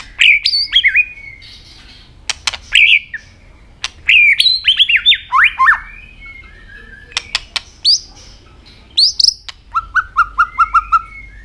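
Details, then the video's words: An Asian robin sings short, varied phrases of high, thin, warbling notes separated by brief pauses, ending with a quick run of repeated lower notes against a quiet background. "Robin singing"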